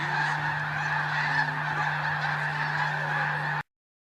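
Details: Snow geese in a mass morning take-off at Bosque del Apache: a dense, unbroken chorus of overlapping honking calls from many birds, with a steady low hum underneath, cutting off abruptly after about three and a half seconds.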